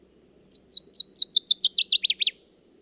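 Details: Northern Waterthrush song, remembered as "nice old ladies don't choo-choo": a loud, accelerating run of about eleven sharp ringing chips, hesitant and staccato at first, then speeding into emphatic lower-dropping notes; a bird of wet, puddly woodland places.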